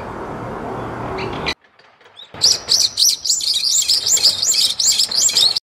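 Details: A brown-eared bulbul, a resident neighbourhood bird described as very loud and frequently calling, gives a song: a brief burst of broadband noise, a pause, then a rapid series of high, shrill, looping whistles, roughly three per second. Bulbuls seem to converse with each other a lot.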